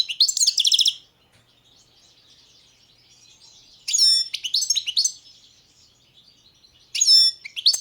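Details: Song of a balcanica European goldfinch: three separate bursts of liquid, tinkling twitter and clear whistled notes, separated by long quiet gaps.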